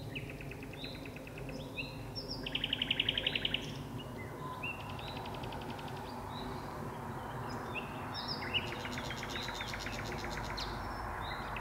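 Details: Common nightingale singing at dusk, hidden deep inside birch bushes, with two birds singing. Varied phrases with loud, rapid buzzy repeated notes around the third second, then scattered whistles over a steady rural noise background.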